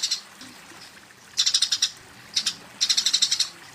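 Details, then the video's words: Fighting Eurasian tree sparrow calling its rival, delivering short bursts of quick, high, metallic chirps separated by silent gaps of about a second. "suara burung gereja tarung memanggil lawan"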